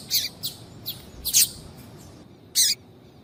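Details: Female Double-collared seedeater calling to excite a male: several short, high chips of varying loudness over the first second and a half, then a pause and one strong, sharp chip.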